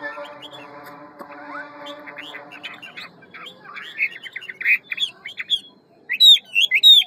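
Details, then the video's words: Hwamei of the ngũ trường kind with a quick, many-voiced forest song: a steady low humming tone at first, then scattered whistled notes that build into loud ringing phrases at the close. "Họa mi ngũ trường giọng rừng mau mỏ nhiều giọng"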